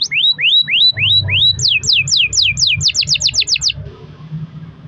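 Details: Pet canary in long-rolling song used to coax other canaries into singing: upward-curving whistles, then a series of sharply falling sweeps, fading to quiet background hum.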